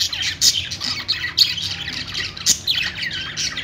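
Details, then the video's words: Budgerigar singing in loud high squawks and chirps, clustered bursts about every second with falling sweeps between, a lively unbroken chatter. "budgie singing | budgie sounds"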